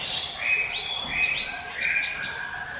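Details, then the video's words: Song of the mountain prinia (ciblek gunung), meant as a lure: three long rising whistled sweeps in a row, followed by a few sharp high downslurred notes and a lower trailing tone. "NGIWIT WIT SUARA CIBLEK GUNUNG SIAP JADIKAN PANCINGAN MU"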